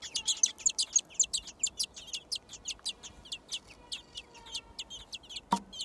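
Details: Thrush nestlings, six in a garden nest, call for food with shrill, piercing chirps that come fast at first and then space out, ending with a single knock.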